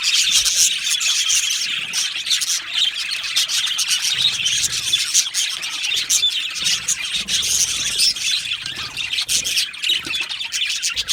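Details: Crowded budgerigar aviary colony: ceaseless high chattering, rapid chirps and twittering warbles from numerous birds blending into one bright, even babble for the whole stretch.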